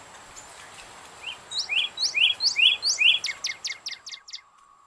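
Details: A Northern Cardinal, a backyard bird present in winter, sings a run of clear, slurred whistles, about two each second, ending in a quicker series of higher, down-swept notes over a faint hiss.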